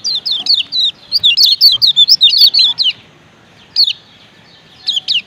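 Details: Lemon-bellied white-eye from Lombok, male and female combined, calling 'ciak ciak' to get other kecial singing; nearly three seconds of fast, evenly spaced high falling chirps, followed by a pause and two brief single notes.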